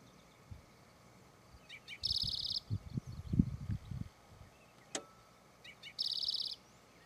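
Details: At Charles M. Russell National Wildlife Refuge, Montana, USA, a Spotted Towhee gives two short introductory notes then a harsh, buzzy trill, twice about four seconds apart, over a low rumble of passing traffic.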